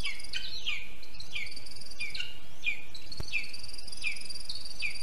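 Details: At a lesser spotted eagle nest in a spruce in Zemgale, Latvia, on a June 2022 morning, an adult feeds the chick with a water vole; sharp falling notes come in a regular series beside a continuous high buzzing drone.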